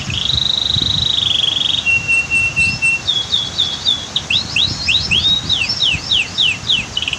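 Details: Canary by a waterfall and dam: a long steady trill, then a lower held tone, then quickly repeated rising and falling chirps, with faint rushing water behind.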